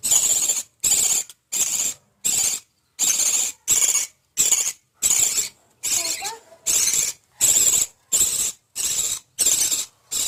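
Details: Budgerigars feeding their chicks, giving harsh, raspy, high-pitched calls in short bursts a little faster than once a second.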